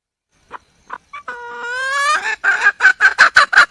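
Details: Female red junglefowl calling for a male: scattered short notes, then a long sustained note with many harmonics that swells and rises, ending in a fast series of loud clipped pulses.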